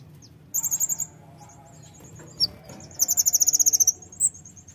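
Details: Brown-throated sunbird, a fighter-type bird, singing to provoke other birds into song: short bursts of very high, rapid chipping notes, a brief trill near the start and a longer fast run of about twelve sharp notes later, over faint low hum.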